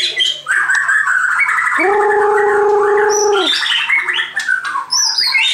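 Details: White-crowned shama delivering a loud, busy song of rapid chirps and slurred whistled notes, broken midway by a sustained, steady, lower-pitched tone lasting nearly two seconds, then more quick varied phrases.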